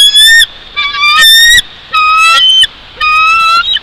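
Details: Bald eagle at its nest high in a Jeffrey pine at Big Bear Lake, California, on 04.01.2023 at 08:52: loud overlapping high whistled squeals, some rising slightly, in bursts with short gaps, over constant hiss.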